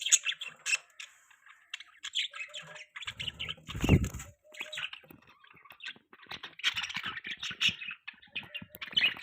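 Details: Pet budgerigars eating a green leaf give busy, overlapping high chirps and squeaky chatter in a near-continuous stream, with a brief low thumping rustle near the middle.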